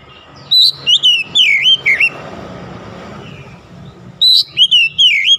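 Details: Oriental magpie-robin in morning sunlight delivering two clear bursts of swooping whistles and sharp high notes, with steady low background rumble between phrases.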